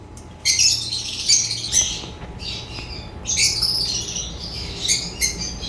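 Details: African lovebirds chirping: bursts of harsh, high, squawky chatter in two main runs separated by a short pause, with a faint steady hum beneath.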